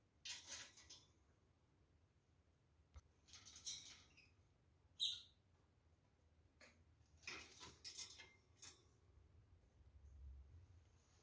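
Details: Pair of aviary rose-ringed parakeets giving harsh, rasping screeches in short irregular bursts, about six over ten seconds, over a faint low background hum.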